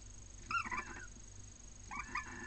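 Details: Barn owl pair mating at Cabañeros National Park, Spain, nest holding two eggs: two short, wavering, nasal squeals about 1.4 seconds apart against a constant hiss.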